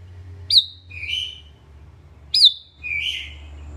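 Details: Sooty-headed bulbul song: two matching phrases about two seconds apart, each a sharp high note dropping steeply, then a fuller, warbled lower note; low steady hum underneath.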